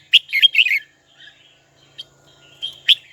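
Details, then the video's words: A red-whiskered bulbul calls a rival with a rapid burst of four or five sweet, slurred whistles, followed by scattered soft notes and a single sharp chirp near the end. "Chào mào gọi bổi tố chất nhất"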